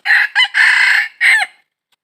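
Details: Red junglefowl crowing during wild junglefowl trapping, recorded 22 December 2021: a loud, harsh four-part crow, two short opening notes, a long sustained middle note, then a falling closing note, all within about a second and a half.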